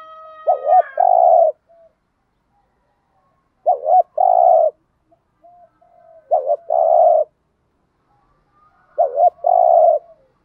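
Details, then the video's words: Spotted dove cooing to prompt trained doves to coo: four matching low phrases, each two short notes followed by a longer steady coo, repeated roughly every three seconds, with faint higher overtones at the start. "cu gáy gù thúc, thúc gù giọng hạp bổi, tiếng chim cu gáy kích bổi nhanh nổi hiệu quả"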